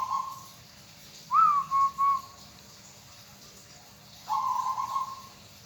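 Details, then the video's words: Soft cooing of a local zebra dove, a hobby bird: a brief coo, then an upward-sliding note with two clipped coos, a pause, and a longer rolling trilled coo, all low and gentle against faint hiss. "bunyi perkutut sangat menyenangkan hati bagi yg hobi burung perkutut lokal"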